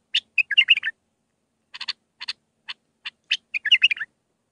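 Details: Bulbul song in the Mandalawi style with six phrases, used for training young birds: bright chirpy burst of warbled notes, then spaced sharp chips, then a second warbled burst.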